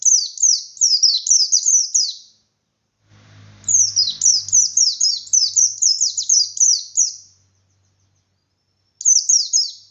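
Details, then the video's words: White-eye in Indonesia singing in the ngalas style with beak wide open, used to provoke other white-eyes into contest fighting: rapid series of high, thin, downslurred notes in two long bursts, a brief low hum in the pause. "Burung Pleci Gacor Pendongkrak Emosi Pleci Lain"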